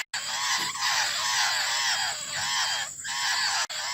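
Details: Young laughingthrush chick calling for its mother, a dense, continuous chorus of harsh, wavering, rasping notes repeated without pause, rich in overtones, briefly interrupted near the start and end.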